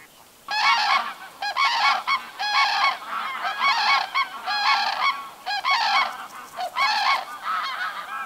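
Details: Summer flock of common cranes at a lake shore, about 100 birds that do not breed or arrive later with their young to roost overnight: repeated bursts of harsh, bugling calls, roughly one a second, several birds overlapping.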